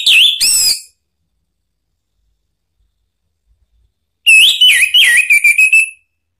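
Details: Orange-headed thrush song used as a lure to provoke another bird to answer, given in two bursts: sharp, loud, warbling whistles with quick up-and-down slurs, separated by about three seconds of silence.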